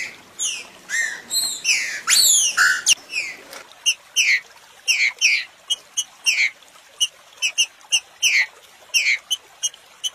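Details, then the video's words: Green-winged saltator song used to stimulate other birds to sing: a dense opening of loud overlapping sweeping whistles, then a run of short clear descending whistled notes at varied pitches, several a second. "melhor ESTIMULADOR pra trinca ferro"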